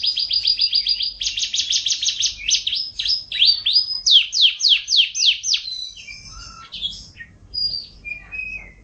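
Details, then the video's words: Canary song, gacor isian style, opening with fast high rattling trills, then a run of sweeping, down-slurred whistled notes about two per second, ending in scattered short chirps over a quiet background. "Suara Kenari MP3 Kicau Kenari Gacor Isian"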